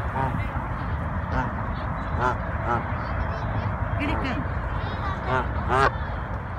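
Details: A pair of wild Canada geese in New York City, described as always seeming angry though actually friendly: about seven harsh, nasal honks spaced irregularly over several seconds, with a steady low city rumble and possible voices underneath.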